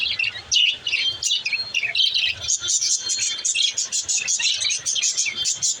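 Budgerigars chatter in a continuous, high warble of chirps, squeaks and rapid twittering notes.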